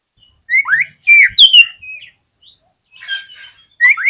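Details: Oriental magpie-robin song played to trigger other magpie-robins to sing: varied rich whistles, including rising slurs, a falling ringing note and a short buzzy trill, separated by brief pauses and ending in two upward whistles.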